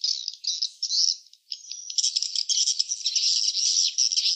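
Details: Swiftlets at a nesting site chatter in a dense, high, buzzy twitter, many birds overlapping almost without pause, with a brief gap early on.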